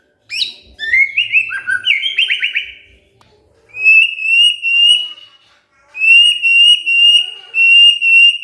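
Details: White-rumped shama roused to answer, giving a jumble of quick whistles and a buzzy trill, then two long, steady, high trilled notes held for about two seconds each.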